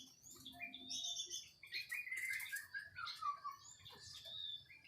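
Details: White-rumped shama in varied song, a tumbling sequence of slurred, twisting whistles and chattery notes at shifting pitches, delivered continuously over a low background hum.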